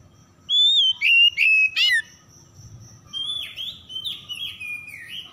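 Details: Oriental magpie-robin (kacer) song used as a lure for stressed birds that stopped singing; four loud clear whistled notes, each bending downward, then a quieter run of sliding whistles over a low background hum.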